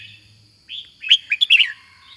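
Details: Brief red-whiskered bulbul phrase: a drawn-out soft note, then four quick, bright, slurred whistles in rapid succession.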